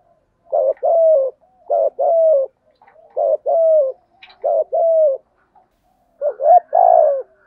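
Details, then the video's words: Spotted dove giving thúc gù and gáy gọi cooing styles: five two-part phrases in a row, each a brief quavering note then a drawn-out mellow coo, spaced about one to one and a half seconds apart. The background is quiet. "chim cu gáy bài vở nhất hiện nay( thúc gù, Gáy gọi. bài bản )"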